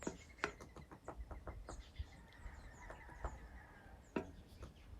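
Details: In Central California near Yosemite, early in the morning, an Acorn Woodpecker drums on the tree next to the recordist: a quick run of about ten dry knocks, then scattered single taps, over a faint high whistle and low rumble.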